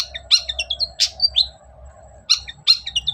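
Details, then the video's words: Lively song of a long-tailed shrike used to provoke silent birds into singing: clusters of sharp, slurred high chirps and downward whistles, a pause, then more bright chirping phrases over a steady low hum. "BURUNG CENDET GACOR DOR || Pancingan cendet males bunyi agar nyaut gacor"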